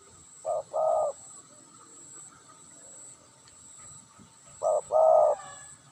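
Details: Tame spotted dove giving two short cooing phrases, each a brief note followed by a longer throaty coo, repeated about four seconds apart, with a steady high hiss behind.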